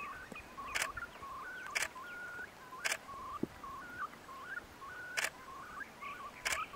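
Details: Far Eastern curlews courting, male approaching female, early May 2016 on the Bira River, Jewish Autonomous Region, Russia: short, mellow whistled notes rising and falling in quick runs; loud camera shutter clicks every second or two.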